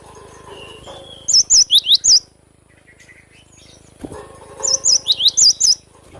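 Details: Cinereous tit (glatik batu) singing vigorously: two bursts of five or six loud, sharp whistled notes, alternating wavy high notes with quick falling-rising slurs, separated by a quiet pause, with faint background chatter.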